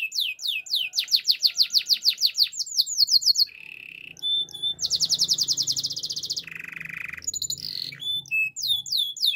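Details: Canary training song with repeated high descending whistles at several per second, a brief low buzz, a long dense rolling trill and a lower rattle, then scattered chirps. A faint low hum sits underneath.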